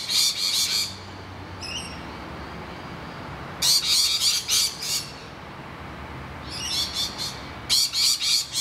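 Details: Distressed rainbow lorikeets at their hollow, harassed by noisy miners. Bursts of rapid, harsh, shrill squawks are separated by pauses of one to two seconds, and a faint thin note sounds in the first quiet gap.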